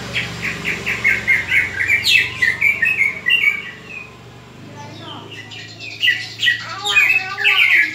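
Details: Greater green leafbird fighting call for training other leafbirds: a run of rapid whistled notes over a low hum, a quieter gap, then louder chattering whistles resuming.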